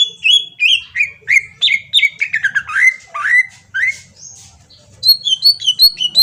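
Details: Lure song of a Kalimantan green leafbird, meant to make another bird respond. Rapid chains of rich, downslurred whistles step lower through the phrase, then switch to higher, quicker paired chirps near the end.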